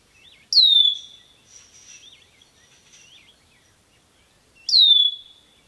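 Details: Ruby-throated hummingbirds battling at garden feeders, recorded with a RODE microphone: two loud, sharp squeaky notes sweeping down from very high pitch, with faint twittering chatter between them.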